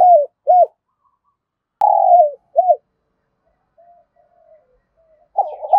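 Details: Spotted dove coo meant to rouse other doves: clipped, rounded low coos and a long falling note with a sharp click, faint soft notes, then another stuttering phrase starting.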